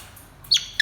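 A grey parrot says a high, two-part "hello": a quick falling first syllable, then a short bright second note. Nothing else stands out.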